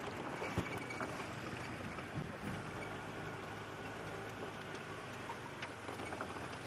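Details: Steady broadband rumble like a vehicle engine or water, with no animal calls standing out. Faint clicks and knocks come through, but no clear voice of any creature.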